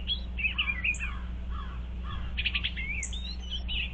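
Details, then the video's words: Eastern bluebirds checking out a birdhouse, 25 February 2023: soft warbled and slurred notes around mid-high pitch, scattered through the moment over steady low hum. "Eastern Bluebirds Checking out Birdhouse"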